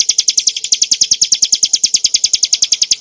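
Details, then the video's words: Bar-winged prinia (ciblek gunung) singing a clear, continuous 'ngebren nembak' song used as tutor audio for training cage birds: a fast, even run of sharp high chipping notes, about eight per second, with no other sounds. "kicauan burung ciblek gurun untuk masteran & pancingan - suara jernih ngebren nembak"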